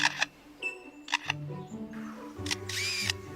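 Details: A lyrebird in forest along Australia's southeast coast mimics a camera shutter: four sharp mechanical clicks and whirrs, roughly a second apart, over background music.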